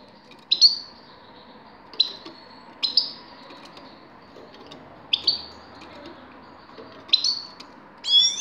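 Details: Grey-crowned goldfinch, 2019: sharp, high twittering phrases with a buzzy edge come every second or so, ending in a brighter, more jangling burst, against low steady background noise.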